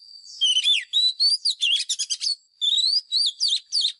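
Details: Oriental magpie-robin decoy in a challenge song meant to train caged birds' voices. Fluty whistles swoop up and down, with a short fast buzzy stretch, then a brief pause and more looping whistled notes.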